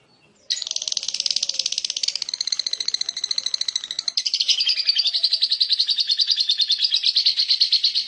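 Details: Lovebird giving the long chattering 'ngekek' meant to set other lovebirds answering: a continuous, very fast buzzy trill of rattling notes lasting over seven seconds, growing louder partway through.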